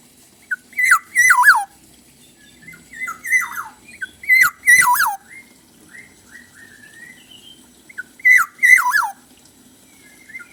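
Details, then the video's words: Chatty black-naped oriole with abundant fill-in song: harsh, scratchy bursts alternate with falling whistled notes in phrases spaced a few seconds apart, with faint soft whistles in between. "kepodang isian melimpah gacor"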